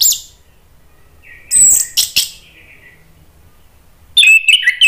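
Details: Orange-headed thrush song meant to stimulate other birds into answering: scattered high, sharp notes and a thin descending whistle, a quiet gap, then a dense burst of rich warbled whistles.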